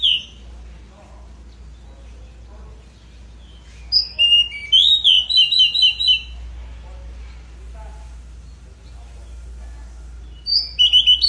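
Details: Pied bushchat singing vigorously: after several quiet seconds over a steady low hum, a burst of short, high, sweet whistled notes runs quickly for about two seconds, then another brief high phrase begins near the end.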